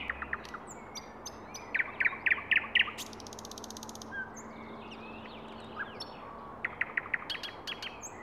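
A thrush nightingale sings a varied, loud phrase: dry clicks, a run of four ringing repeated notes, then a fast metallic rattle and scattered sharp whistles.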